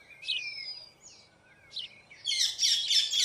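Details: White-throated fantail building a nest: high, thin whistled notes sliding downward, a short upward-flicking note near the middle, then a dense burst of sharp, scratchy chattering notes to finish.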